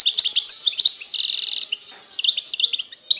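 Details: Constantine-style European goldfinch singing, eastern Algeria: high, tumbling twitters, a strong rapid rattle near the middle, then sweet rising and falling chirps repeated in quick succession without pause.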